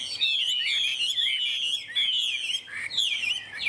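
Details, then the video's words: Chinese hwamei from Vietnam, a good singer: sustained high, ringing whistled phrases with gentle wavering slurs and sudden upward sweeps, nearly continuous. "Họa mi đẹp hót hay"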